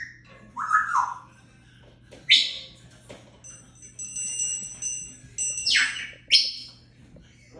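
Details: African grey parrot mixing whistles, sharp squawky calls and chattering sounds, with a faint ringing tone in the background.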